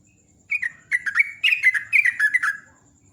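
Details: Sooty-headed bulbul singing in the morning, a rapid chattering run of bubbly, slightly falling chirped notes lasting about two seconds, loud and close, with a faint steady high hum behind.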